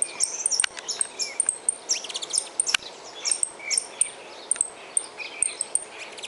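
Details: Saffron finch in the wild, heard in a busy run of thin, very high chirps and quick slurred notes, several each second, with occasional sharp clicks against a quiet rural background.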